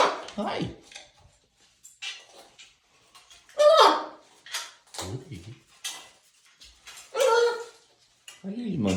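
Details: Macaws freaking out about morning snow: loud, harsh, raspy squawks in bursts every second or two, mixed with talking-like chatter, a person's voice and clinking dishes.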